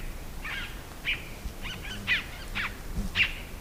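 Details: Scarlet-throated Tanager: a soft run of short, buzzy-edged notes, roughly one each half second, over low-pitched outdoor rumble.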